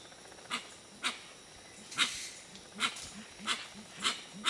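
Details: Gray-winged Trumpeters at Tiputini Biodiversity Station in the Ecuadorian Amazon: short, low, hollow hooting notes about every half second, with sharp, crackling bursts higher up.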